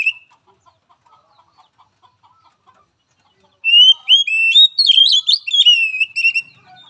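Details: Oriental magpie-robin song for training a timid, weak-spirited bird: a short whistle, then faint soft ticking, followed by a loud burst of rich, rapidly varied whistled notes and slurs.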